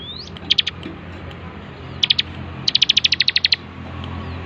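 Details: A bar-winged prinia in full song, recorded as a master for training birds. A rising thin note opens, then short clusters of crisp high chips lead into a longer rapid run of a dozen notes.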